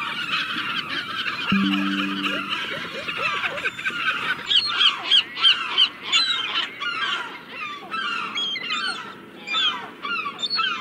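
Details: Seagulls heard first as a murmuring chorus with a brief low steady tone, then one gull gives a series of quick, harsh, repeated yelping notes among other callers.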